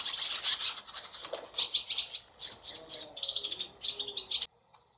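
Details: Barn swallow nestlings in a nest inside a cowshed holding several nests, late July 2024: rapid, high, thin chirping in busy bursts, some notes sharper and lower, ending abruptly in quiet.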